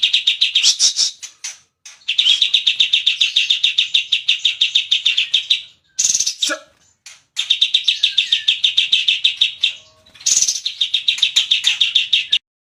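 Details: Singing cucak cungkok bulbul producing extended runs of fast, dry, repeated chattering notes broken by brief gaps and a few higher sharp calls.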